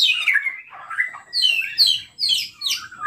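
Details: Short white-rumped shama song burst, played to provoke other shamas: loud descending slurred whistles followed by thin, squeaky high notes and a final lower whistle.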